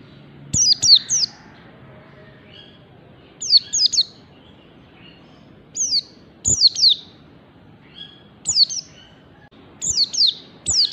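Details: White-eye singing in the fast ngalas style: clusters of two or three sharp, high descending whistles, each burst spaced about two to three seconds apart over a faint background hiss.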